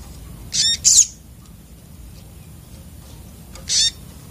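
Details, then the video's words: Sogok otong sunbird, agitated song: a quick pair of shrill, buzzy, very high bursts, a pause of over two seconds, then one more harsh high burst, with a quiet background. "burung sogok otong terapi ngamuk"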